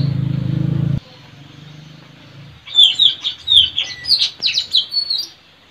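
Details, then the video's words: Wild white-rumped shama in forest, captured while tracking birds at a trapping tree for lure use. Low humming noise opens, then a quick series of sharp whistled and warbled notes for nearly three seconds. "Suara Mp3 puling//Tajaling//tanau"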